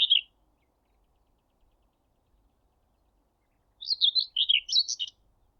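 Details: At Thurrock Thameside Nature Park a Common Whitethroat sings close by from a power line by the railway: a brief scratchy note, a long silence, then a quick rattling phrase of harsh high notes.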